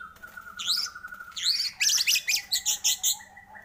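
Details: Lure recording of white-rumped shama song to get shamas singing. A steady thin tone runs under scratchy high sweeps, followed by a rhythmic string of bright, sharp whistled notes.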